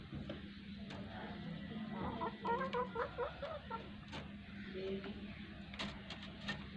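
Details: Desi hen clucking after laying an egg: a burst of quick, rough clucks in the middle, then scattered softer notes, over a steady low hum and background noise.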